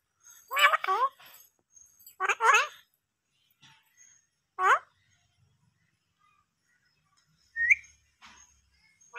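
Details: Talking parrot: three separate word-like phrases with strong harmonic, voice-like tones, spaced about two seconds apart, then a brief high squeak and faint soft sounds in an indoor setting.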